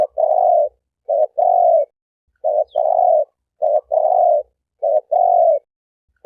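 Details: A lone turtle dove cooing: each phrase is a short low coo followed by a longer steady one, the pair repeated about every 1.2 seconds at an even mid-low pitch, with no other sounds.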